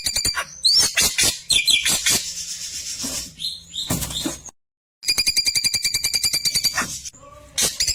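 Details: Klewer tembakan song used to tutor white-rumped shamas: varied sharp chirps and swept whistles, a short gap, then a long fast rattle of bright buzzy notes and soft low whistles.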